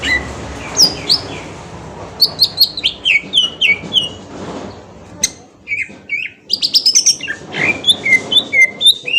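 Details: Green leafbird from Kalimantan singing as a lure to provoke a response: varied bursts of sharp whistled and chattering notes, many slurring downward, coming in quick runs with short pauses between phrases.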